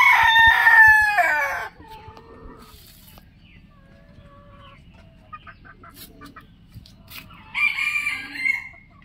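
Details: Rooster crowing in the morning: a loud, harmonic, drawn-out crow fills the first two seconds, then quiet with faint distant calls, before a second shorter, bright crow near the end.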